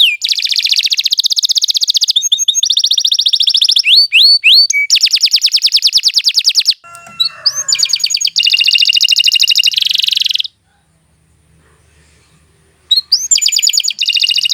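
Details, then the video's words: Canary in long continuous song meant as a tutor: extended dense buzzing trills alternating with quick downslurs, pausing for a few seconds of near silence before resuming with rolling trills. "Kicau Burung Kenari II GACOR PANJANG Cocok untuk Masteran"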